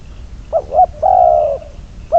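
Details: Spotted dove kept as a trapping decoy, number 22, cooing two brief rising notes, then one long, level, throaty note. A new phrase begins at the end.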